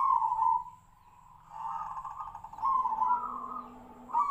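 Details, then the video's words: Tejoanom perkutut, a zebra dove with a voice likened to the sirtu-sirpo bird: blurred, overlapping rolling coos that swell, dip and rise again, with a faint low hum underneath. "PERKUTUT TEJOANOM|| SUARA SEPERTI BURUNG SIRTU-SIRPO"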